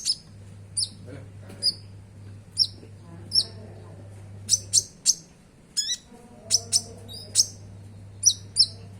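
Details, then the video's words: Konin song played to prompt caged konin to sing: spaced, sharp high chirps and piercing notes in irregular bursts, some doubled, over a constant low hum. "Pancingan Suara Konin Gacor Bongkar Isian Sogon, Konin Bahan Langsung Bunyi!!"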